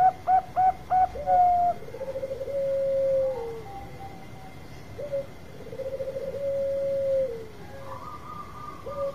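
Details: Long song of a Bangkok zebra dove, used to provoke other birds to sing. It opens with four quick hooked coos, then long vibrating trilled coos that dip at the end, repeated twice, with a constant high electrical tone behind.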